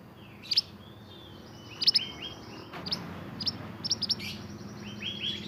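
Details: Pied bushchat, a native Indonesian songbird in lively full song, used as a tutor for training caged songbirds; sharp high chirps and brief thin whistles in quick bursts, some rising or falling, over a low background hum.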